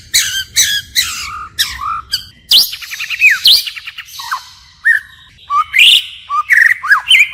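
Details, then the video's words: White-rumped shama forest-style song with constantly shifting phrases: quick double notes, a fast rattling trill of falling whistles, then scattered rich whistled slurs separated by brief gaps. "Chích chòe lửa hót giọng rừng hay đảo giọng liên tục"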